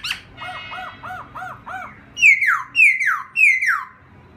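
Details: Laughingthrush song for stimulating a freshly caught bird: five soft arched whistles in a steady row, followed by three loud, bright notes that each drop steeply in pitch.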